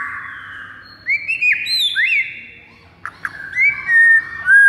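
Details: White-rumped shama fighting song used to provoke rival birds: long drawn whistles, a few rising and falling slurred notes, a brief sharp click, then sustained clear whistles.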